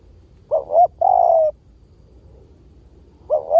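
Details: Spotted dove decoy coo: one complete phrase of two quick rising notes and a long flat coo, followed after nearly two seconds by the opening notes of the next phrase.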